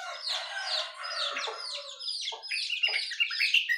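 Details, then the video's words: Busy morning chorus of birds, said to include jongkangan, terucukan (yellow-vented bulbul) and pleci (white-eye). Overlapping high chirps and twittering fill the clip, with a few lower, short notes. "Suara Burung Jongkangan, Terucukan , Pleci di pagi hari"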